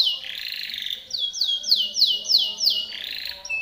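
A Timbrado canary sings a bright, high trill, breaking into quick, metallic falling notes about three a second before returning to a steady roll.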